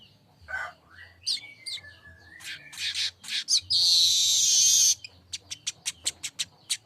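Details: Streaked weaver song: chirps, a thin long whistle and clicks, then a roughly one-second harsh sizzling trill, ending in a string of about nine sharp, evenly repeated ticks.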